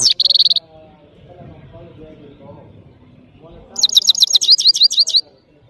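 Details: Powerful song of a Parachinar European goldfinch, called saira: an opening buzzy trill, a quiet gap, then a lively phrase of fast, high, rolling twitters.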